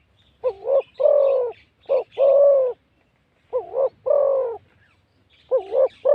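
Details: A wild-caught male spotted dove, kept as a calling bird for its big voice, gives deep, mellow coos in phrases of three or four notes. Each phrase ends in a longer drawn-out coo, repeated about every two seconds.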